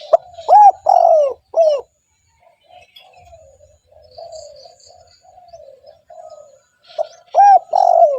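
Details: Spotted dove cooing steadily, a recording meant to lure wild doves: loud arched coo notes in quick bursts at the start and end, with softer, wavering low cooing in between and a faint high chirping bird.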